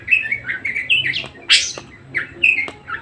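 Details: Budgerigar singing persistently and energetically: a quick run of chirpy, buzzy warbled notes, some rising and some falling, in short bursts with a louder scratchy squawk midway.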